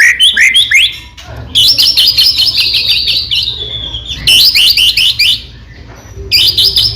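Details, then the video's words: White-rumped shama song meant to make other shamas respond and sing: sharp downslurred notes, then long bursts of rapid high trilled chirping separated by quieter gaps. "murai batu gacor AMPUH buat PANCINGAN murai batu agar bunyi JADIKAN burung murai gacor EMOSI NYAUT"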